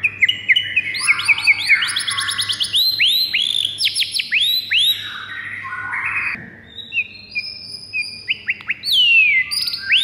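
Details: A white-rumped shama delivers fighter song intended to enrage other birds: rapid rising whistles stacked in quick runs, loud and varied, broken by a brief lull before more sweeping, downslurred notes.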